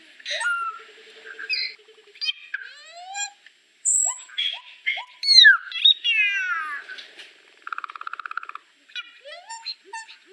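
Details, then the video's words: A solitary cacique sings a jumble of clear slurred whistles, nasal mewing notes and sharp chips, with a brief buzzy rattle near the end. "Boyero Negro Canto! Llamado! Sonido! Cantando - Solitary Cacique Song - Cacicus Solitarius"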